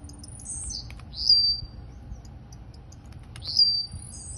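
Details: Blue-black grassquit, of the Campainha song style, kept in Campo Grande, Rio de Janeiro, giving two short, sharp, high buzzy phrases about two seconds apart, each a quick upward-flicked note, over a faint low hum.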